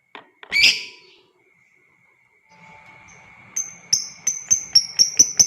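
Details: Lovebird in a long ngekek meant to provoke other lovebirds: a harsh shrill burst, a silent gap, then a rapid run of sharp high chattering notes repeated about four per second over a steady thin high tone.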